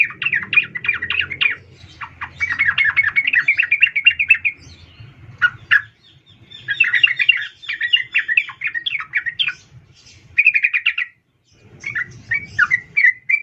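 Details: Female sooty-headed bulbul calling a male, a lure to set males singing: extended bursts of rapid chattering notes broken by short pauses and single sharp chirps, with steady low background rumble.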